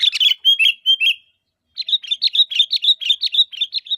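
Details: Calling sooty-headed bulbul, used as a lure to draw replies from other bulbuls: quick tumbling chirps, then a long run of sharp, even notes repeated about four times a second.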